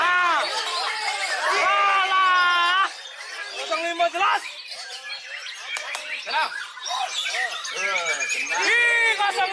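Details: A white-rumped shama, a contest bird that took first place in the top class, pours out varied loud whistles, rapid trills and harsh squawky phrases in quick bursts, with other birds, voices and clapping behind.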